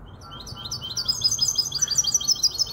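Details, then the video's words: Continuous high, rapid twittering song from a goldfinch hybrid with a Malaga canary, five months old, in Casablanca; notes repeat quickly and grow louder, with a faint low hum beneath. "تغريد هجين الحسون كوبية ملقا"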